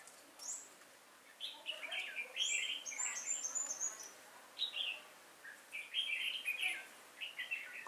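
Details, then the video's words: Trap-decoy red-whiskered bulbul singing to lure wild bulbuls, October 2018. Near-continuous cheerful warbled phrases of quick up-and-down notes. Thin high chips overlap the phrases, possibly from other birds. "Bẫy chào mào Nết chơi siêng cánh lăng xăng"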